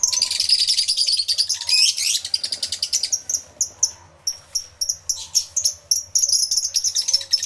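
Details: Numerous lovebirds calling in an aviary, recorded with two external microphones; a steady shrill twittering mass gives way to spaced, piercing chirps and short chattering runs.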